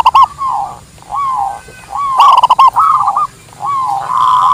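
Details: Local Indonesian zebra dove song, recorded for luring wild birds and as a master song: soft cooing phrases near one pitch, each opening with rapid staccato clicking notes, separated by brief pauses, over a faint steady background hum.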